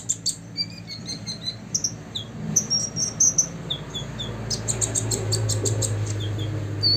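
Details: Olive-backed sunbird aged six years singing to agitate rivals: scattered thin high whistles and short chirps, rising into a run of rapid tweets, partly masked by a loud low rumbling background.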